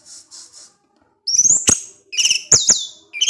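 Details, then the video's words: Cage-kept orange-headed thrush in ngecip ngecis teler style: three soft, faint buzzy notes, a pause, then loud sharp high whistles and clicks in quick clusters with a chattering burst. "ANIS MERAH SUSAH BUNYI PASTI NGEPLONG DENGAR SUARA NGECIP NGECIS TELER INI"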